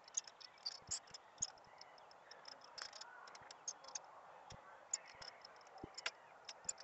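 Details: Captive blue-black grassquit (tiziu), a male in full black-blue plumage singing while held in the hand, giving short, sharp, high buzzy notes at irregular intervals every second or so, with faint clicking and a low murmur of voices behind.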